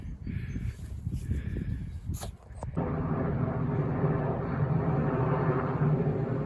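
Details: Rumbling, gusty outdoor noise with a couple of sharp knocks gives way to a steady, low droning engine hum, with no animal calls.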